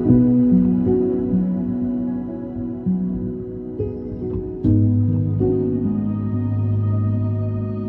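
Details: Soft ambient new-age music with sustained keyboard and guitar tones, gentle chord changes and no animal voices.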